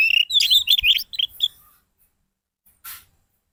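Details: Orange-headed thrush song meant to draw silent birds into singing: a dense burst of rapid, twisting high chirps for about a second, followed by a few trailing notes and a brief hiss near the end.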